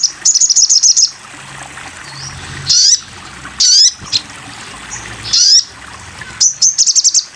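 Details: Sogon bird, masteran training recording: opens with a fast burst of high ringing notes, then scattered sharp upslurred chirps, ending in another rapid high series; low steady hum underneath.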